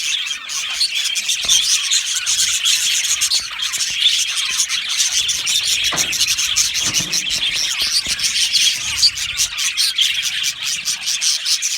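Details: Many budgerigars housed in an aviary, steady busy twittering and squeaky chirps layered over each other, continuous for the whole stretch.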